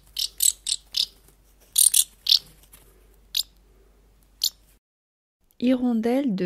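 House martin calls: dry, rattling chirrups in short irregular bursts, about a dozen over four seconds, followed by a spoken voice.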